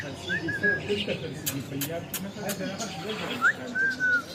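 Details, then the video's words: Parrot known for talking, with two pairs of whistles: a quick upslurred note followed by a drawn-out level one. Low, speech-like murmuring and a few sharp clicks run underneath. "Talking arrot"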